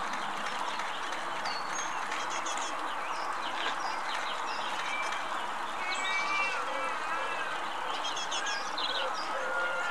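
A European robin sings scattered thin, high, tinkling phrases with a few clear whistles, half-buried in a steady hiss and murmur, with faint voices nearby.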